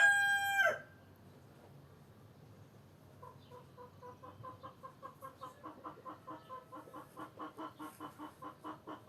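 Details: End of a rooster's crow falls away, a quiet stretch follows, then hens cluck softly in repeated short notes that grow louder and faster.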